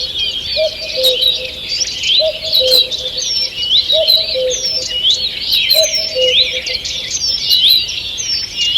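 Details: Woodland dawn chorus recorded 2 June 2023: many birds trilling and chirping at high pitch without pause, a steady low two-note hoot returning about every 1.7 seconds, plus a few crisp clicks.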